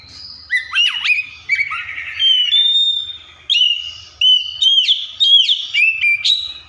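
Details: Varied mimicking song of an Oriental magpie-robin: rapid swooping whistles, dipping slurred notes and short warbled phrases delivered almost continuously, with brief breaths between bursts.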